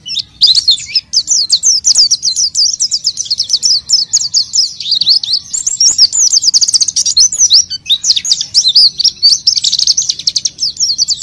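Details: A lively oriental white-eye, singing as a lure for untrained white-eyes. Hurried, high-pitched warbling with steeply sliding notes, delivered in a dense, almost continuous flow.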